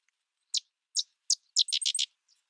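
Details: Sedge wren: three widely spaced sharp chips, then a quick cluster of four harsh, buzzy notes, high-pitched and dry. No other sounds.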